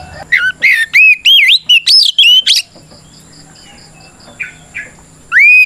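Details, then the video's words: Oriental magpie-robin fighting song, 'ngeplong' style meant to call out opponents: a fast run of ringing, looping whistles and rising slurs, then a pause with faint notes before a final bright upslurred whistle. "Suara Burung kacer gacor NGEPLONG tarung"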